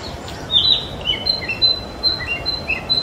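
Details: A young male Narcissus flycatcher, still showing much brown, sings at Mizumoto Park on 27 April 2023; a bright rising whistle opens, followed by a run of short whistled and slurred notes, with a faint constant hiss beneath.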